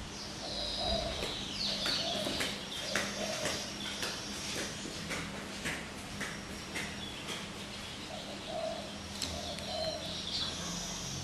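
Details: Pet common hill myna kept indoors, recorded May 2015, trying hard to talk with its owner; repeated clicking and ticking notes with short whistled tones, high and mid-pitched, about once a second, over steady low hum.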